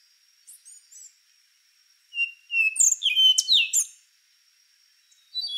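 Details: Faint high notes, then a rufous-brown solitaire bursts into a quick phrase of clear whistles and sharp slurred notes, ending with another phrase starting.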